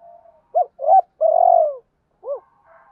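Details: Cooing of a spotted dove, a voice meant as a lure for wild birds: two short hoots, a brief doubled note, then a long rolling coo that sinks at the end, with one final short hoot.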